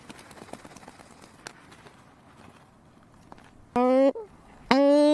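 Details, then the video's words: Cory's shearwater (Calonectris borealis) gives two loud, nasal, wailing calls, low-pitched and rich in overtones, about a second apart, after a few seconds of faint background rustle. "Cory's shearwater (Calonectris borealis) sound - call and song"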